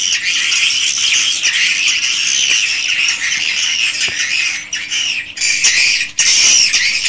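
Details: Swiftlets calling in a swiftlet house, original recording: a steady, dense, high buzzy chatter, thinning briefly near the end before a loud burst of shrill twitters.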